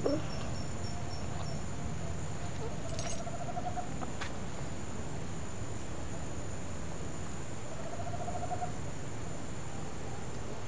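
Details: Tropical screech owl (Megascops choliba) in Fortaleza, Ceará, north-east Brazil, gives two soft, rapid purring trills at a medium-low pitch, several seconds apart, over a steady low rumble of background noise.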